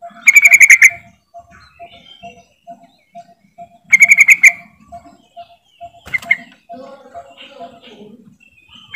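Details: A yellow-vented bulbul, used as a lure call to set silent bulbuls singing, gives loud, bubbly chattering bursts about four seconds apart, over a steady ticking note and softer chirps from other birds.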